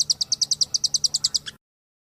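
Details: Velvet-fronted nuthatch trill: about fifteen sharp high chips in a steady run lasting a second and a half, the last note lower, then silence.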